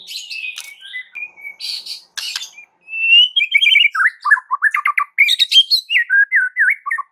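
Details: White-rumped shama singing to provoke other shamas into song: rich mix of harsh squawks and sweet notes, then a fast run of rising and falling whistled notes, several per second.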